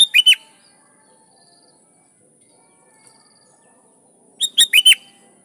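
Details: Sooty-headed bulbul calling rivals, with wild bulbuls answering: a short burst of three or four bright, quick notes at the start and again near the end, with silence between.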